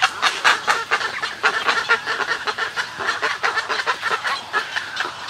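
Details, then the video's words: Snowy egrets at a colony giving colony and greeting calls at close range, a rapid run of loud, guttural, rasping croaks, roughly two per second, over a background of other birds. "Snowy Egret. MCU-CU Colony Calls And Greeting Calls"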